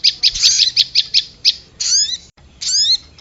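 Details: Prinia (prenjak bawah) sound lure, mixed with korlap calls: a quick run of about seven sharp, high ticking notes, then two longer buzzy, chattering bursts with sweeping whistled strands, separated by a brief silence.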